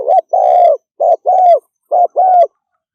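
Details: Rapid 'thúc gù' cooing of a spotted dove: three quick groups, each a short clipped coo followed by a longer, slightly falling hollow note, all within three seconds in clean silence.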